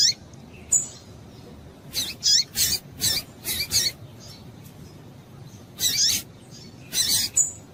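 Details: A female double-collared seedeater in breeding condition calls to stimulate males. Brisk bursts of high, scratchy chips come in quick clusters of two to five, then pause, with a quiet steady hiss beneath.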